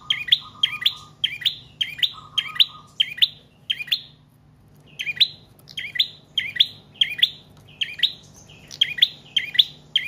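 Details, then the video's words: Long, steady singing from a trotol or paot prinia, kept as a lure and tutor for cage birds: quick doubled chirps repeated about twice a second, a short pause, then more, with a low buzzy trill early on. "Prenjak Trotol/Paot Gacor Panjang"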